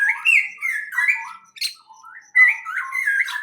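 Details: Greenhouse birds give loud, scratchy, squawk-like chirps: wavering slurred notes in two bursts separated by a short pause, with no other sounds behind them.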